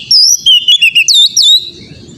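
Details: Oriental magpie-robin song used to train an untrained young bird to sing often: a rapid sequence of about eight loud, clear whistled notes rising and falling, followed by faint hum.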